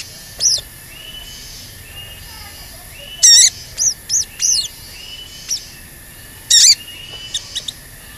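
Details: Crimson Sunbird giving cuit cuit calls, played as a lure to make wild or newly caught birds sing and get worked up: scattered, very high, thin notes and sharp bursts separated by pauses of about a second.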